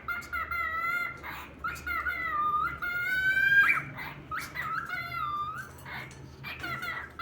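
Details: Talking cockatiel producing strung-together whistled, speech-like phrases with rich overtones, including one longer note that sweeps upward before breaking off, followed by shorter buzzy syllables, indoors with little background noise.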